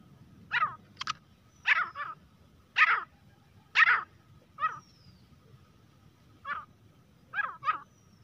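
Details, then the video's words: Grey francolin (teetar) giving scattered harsh, clipped notes at irregular intervals, some doubled, loud then softer, over a low steady background hum. "teetar ki awaaz-तीतर की आवाज | grey francolin partridge calling voice"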